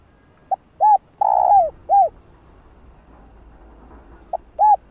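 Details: Spotted dove coo used to stir up rival male doves. A brief note and an arched coo lead into a long falling coo and a final arched note. After a pause, a short note and another arched coo follow.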